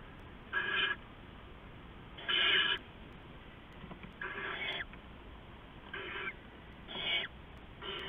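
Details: Early morning, 15 November 2015, an adult owl flying in and out and handing rats to its owlets; six coarse, breath-like screeching hisses at uneven intervals, about one every second or two.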